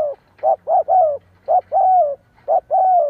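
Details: Decoy spotted dove kept to lure wild doves: repeated coo phrases, each a short note followed by a longer, slightly falling drawn-out coo, about one phrase per second, over a faint low hum.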